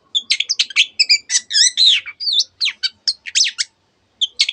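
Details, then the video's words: Long-tailed shrike in a mimicking song containing canary and many other bird phrases: quick varied chirps, bouncing whistled notes and a rising-falling warble, ending after a short pause with two sharp chips. "cendet gacor nembak nembak rapat isian kenari dan banyak jenis burung yang masuk masteran"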